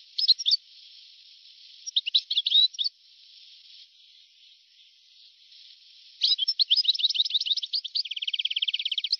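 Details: European goldfinch song from an old recording made between 1982 and 1990: bursts of quick twittering notes separated by pauses over a faint hiss, ending in a rapid buzzy rattling trill.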